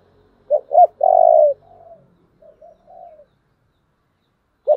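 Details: Spotted dove giving a taut 'giọng thổ' style coo, used as a decoy model for luring: two short hooted notes, then a long, full coo and softer trailing murmurs, with a fresh phrase starting at the end.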